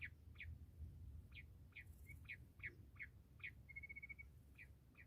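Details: Calls of a bush quail, described as a quail hunting call: clipped, downward-sliding chips repeated irregularly, with one short level high tone near the end, over a steady low hum.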